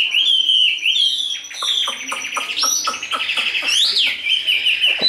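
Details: Caged Chinese hwamei, tame and big-bodied, in đấu xòe fighting display: a sustained clear whistle, then rising swoops and a run of quick clicking taps under the melodious phrases.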